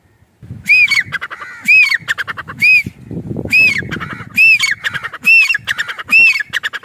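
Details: Calling grey francolin in a village's natural setting, giving a harsh, repeated phrase of a rising-falling note then quick rattling notes, about once a second, over faint low rural background noise.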